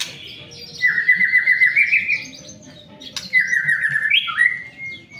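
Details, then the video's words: White-rumped shama song used as a lure to prompt other shamas to sing: two loud whistled phrases holding steady near one pitch with a fast rippling warble, the second ending in a rising flourish, over a low background hum. "pancingan murai batu agar cepat bunyi"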